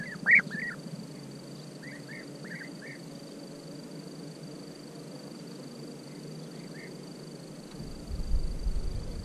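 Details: European bee-eater calling: one loud rolling, liquid note, then a quick series of softer, similar purring calls over a few seconds, fading out. Steady background hiss, with low rumbling near the end.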